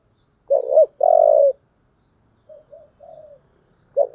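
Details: Spotted dove with the deep 'giọng thổ' voice, fighting call: two clipped rising notes and a long trembling coo, then a pause, three faint soft coos, and the start of another phrase.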